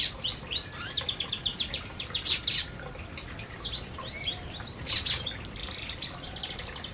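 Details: Canaries eating in an aviary: a rapid series of evenly spaced high ticks early on, then scattered sweeping chirps and a few loud sharp notes from several birds at once.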